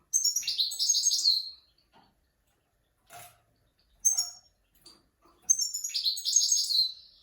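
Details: Goldfinch master song used to teach mules and young goldfinches: rapid, liquid high twitters in a sustained phrase, brief isolated chirps in between, then a second long tinkling, buzzy run of notes.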